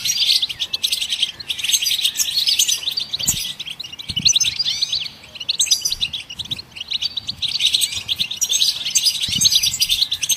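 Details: Loud, dense goldfinch twittering meant to prompt other songbirds to sing, fast chirps and buzzy trills in long bursts, dipping briefly around the middle before resuming.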